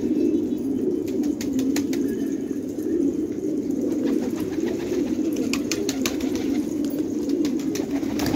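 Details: Village fighting tumbler pigeons, Khanabad, Afghanistan: overlapping deep throaty coos run without pause, while clusters of crisp clicks and flutters sound early and again near the end.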